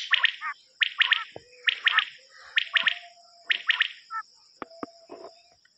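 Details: Common quail from a lure cassette used for hunting: short bursts of two or three quick liquid notes, repeated about every second, over a steady high whine, with a few faint clicks and thin whistles.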